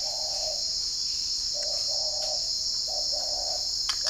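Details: Spotted doves from a bird garden in Ba Vì, Hanoi, northern Vietnam, in the morning: low hollow coos in short phrases of two to three notes, set against a loud, steady high insect drone.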